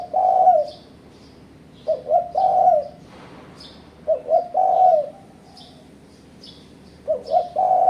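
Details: Lure call of a spotted dove meant to pressure rival birds during trapping: paired short coos followed by a long, level, mellow coo, repeated several times in steady succession, with light high chirps in the background.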